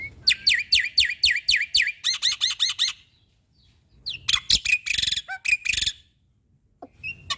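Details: {'caption': 'Black-winged starling song for training caged birds: a row of six loud, falling whistles, then five quick buzzy notes, a short silence, and a burst of harsh rattling chatter with high squeaks.'}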